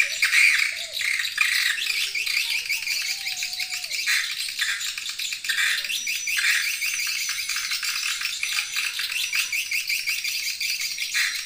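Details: Edible-nest swiftlet lure call used to attract swiftlets: dense, continuous, rattling chatter of rapid dry clicks and chirps, with faint low voices beneath.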